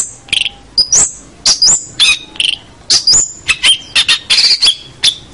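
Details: Tutor recording of a long-tailed shrike singing energetically for young birds to copy: quick high whistles with abrupt pitch jumps, interspersed with harsh buzzy notes.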